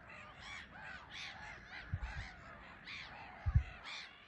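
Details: Black-headed gulls on a small island at RSPB Frampton Marsh, a busy colony taking off and landing under a grey sky; harsh, nasal screeching calls repeat about every half second, with low wind thumps underneath.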